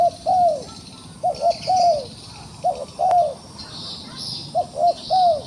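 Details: Wild dove caught in a trap and still ready to fight, giving three-note cooing phrases of short arched notes, the last one longest, repeated about every 1.5 seconds over a steady high hiss of insects or other birds in the countryside.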